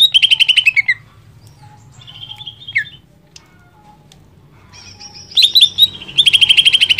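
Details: Greater green leafbird in strong song, a recording used to stimulate another leafbird to sing: rapid buzzy trills near the start and end, with scattered whistled notes and slurred downward phrases between, bright and high-pitched.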